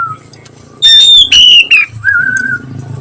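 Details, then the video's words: Oriental magpie-robin, kept bird, in the afternoon: a short loud phrase of two clear whistled notes gliding downward, then a softer, steady lower whistle, with a faint low hum behind. "KACER NYIUL MERDU SORE HARI"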